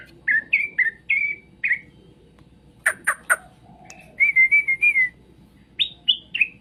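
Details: Straw-headed bulbul song, played to make other birds answer: short rich whistled warbles near the middle of the range, repeated in phrases, broken by a burst of sharp high clicking notes and a falling three-note whistle.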